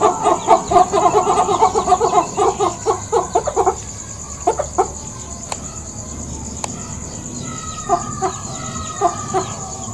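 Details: Chicken settling down to sleep in a village setting, giving low throaty 'gog gog' clucks in a rapid run of about four per second, then thinning to sparse short bursts, over a steady high-pitched insect-like whine throughout.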